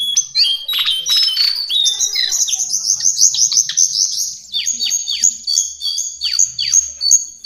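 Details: Lesser shortwing, known locally as cingcoang coklat, singing a fast, dense warble of high whistled notes and sharp downward slurs. The notes tumble rapidly with little pause and end in clipped, repeated phrases.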